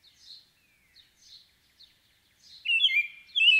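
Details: American robin singing: a few faint high chirps, then two loud warbled whistled phrases near the end in a quiet setting.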